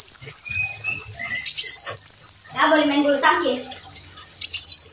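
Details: Brown-throated sunbird in full song, used as a tutor recording, giving high, thin whistled notes and short sweeping phrases, with a few lower notes. A brief voice-like sound breaks in midway.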